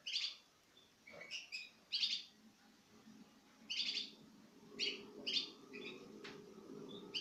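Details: Citril finches in pairs, recorded in 2016 while eating from the hand, calling with quiet, high, clipped chirps about every two seconds over a faint low hum.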